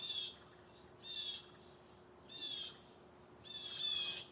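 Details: Blue jays give four loud, harsh, raspy screams about a second apart, the last drawn out, aggressively driving off a bird of prey the owner thinks is a peregrine falcon; a nest is suspected nearby.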